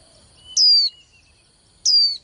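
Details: Two loud, high whistled notes from a young female white-eye, each falling quickly in pitch and lasting about a third of a second, a sound used to rouse males into singing contests; faint steady whine behind.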